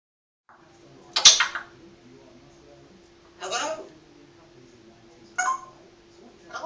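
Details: Pet African grey parrot (Psittacus erithacus) mimics a Blackburn Rovers football chant aimed at Burnley FC, giving three harsh, voice-like phrases about two seconds apart over a low steady indoor hum.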